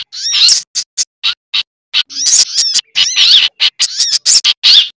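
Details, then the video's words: Sunbird lure mix blended with bulbul chatter and similar birds, made to draw birds in: sharp high chirps and fast rising-falling twitters in short clusters, some isolated clicks between them. "Suara Pikat Burung Sogok Ontong Ribut Kombinasi"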